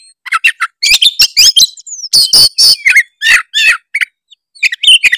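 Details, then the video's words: Oriental magpie-robin, Tretes type, giving a lure song to provoke rivals: quick sequences of bright whistles, rasping bursts and sweeping notes, closely spaced with brief pauses. "pancingan kacer tretes gacor full isian bikin lawan auto emosi denger suara kacer tretes satu ini"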